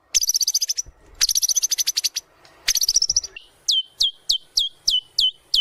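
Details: Loud white-rumped shama lure song for bird training: three bursts of rapid high stuttering trills, then a slow series of sharp downslurred whistles about every half second.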